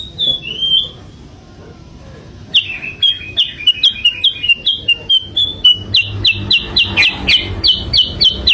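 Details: A sooty-headed bulbul used as a lure gives a few slurred whistles, pauses, then bursts into a rapid, accelerating train of sharp downslurred notes about four per second.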